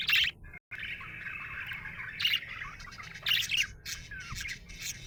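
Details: Happy budgerigar chirping: a steady warbled chatter of busy chirps, with louder sharp bursts at the start, near two seconds and around three and a half seconds, and one brief silent gap early on.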